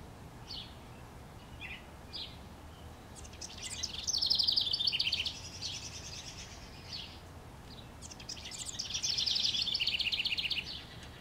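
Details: House wren in a treetop, NW Regina, Saskatchewan, Canada, May 25, 2015, gives two full songs about five seconds apart. Each is a cascade of quick, bubbly, trilled notes falling in pitch, with scattered soft notes before them.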